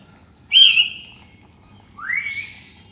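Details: Morning song of a sooty-headed bulbul: a clear descending whistled note, a pause of about a second, then a rising slurred whistle, both bright and liquid over faint low background noise.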